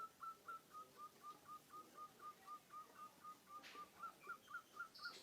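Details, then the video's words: A munia (pipit/emprit) imitates the cooing of a zebra dove (perkutut) with a steady run of soft, mid-pitched whistled notes, about four each second. A brief rustle is heard near the end. "burung pipit/emprit bisa meniru suara perkutut"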